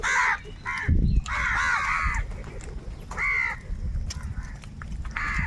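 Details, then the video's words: Large flock of crows, said to be fighting for food, giving harsh, ragged caws in short overlapping bursts with gaps between them, plus a low thump and steady background rumble. "kaka sound and noises of crow birds | Huge numbers of crows crowing and crying sounds"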